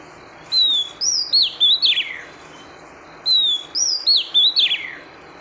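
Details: Female oriental magpie-robin calling to stimulate the male: two bursts of clear whistled notes, each a rising whistle followed by sliding, downward-swept phrases, with a quiet pause between bursts.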